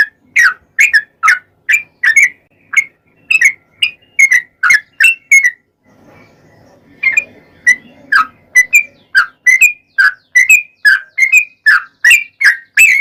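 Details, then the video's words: Yellow-vented bulbul in a long 'ropel' song as a singing lure: steady series of bubbly, slurred whistled notes, interrupted midway by a few seconds of soft murmuring noise, then continuing. "trucukan gacor ROPEL PANJANG buat pancingan trucukan agar bunyi"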